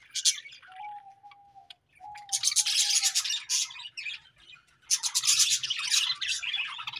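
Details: Budgerigar breeding pairs chirping: dense, rapid high chatter in bursts, with quiet gaps and a steady, flat lower tone held for about a second, twice, near the start.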